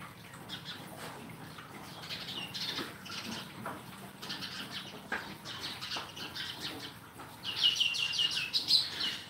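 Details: Repeated high chirps from sparrows, irregular at first then a dense, louder rapid series toward the end, with light background noise.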